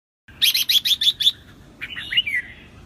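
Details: Wild-caught red-whiskered bulbul in full song: a quick run of six bright, clipped notes, then a slurred whistled phrase sliding downward.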